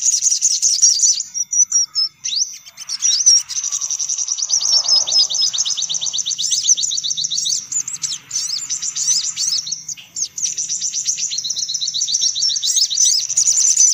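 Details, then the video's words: Lively chattering of sunbirds used as a lure sound: a continuous stream of high, fast, scratchy trills and twitters with brief dips, several birds apparently overlapping. "Suara Pikat Burung Kolibri Paling Manjur"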